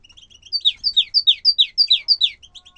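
Bukhara tit singing a quick run of about eight clear, downslurred whistled notes, roughly four per second, after a few soft high twitters.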